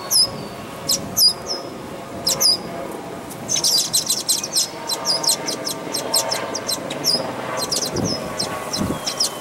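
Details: Red-winged blackbird chicks in a nest at Dufferin Islands, giving many high, thin, rapid chirps in quick bursts, some clustered into dense trills, with scattered low thumps and faint background noise.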